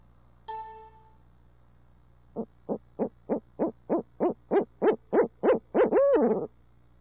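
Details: One of two urbanized barred owls in Midtown Tulsa giving a monkey call: a metallic ding, then about thirteen low hoots that speed up and grow louder, capped by a long, arching, falling hoo-aw.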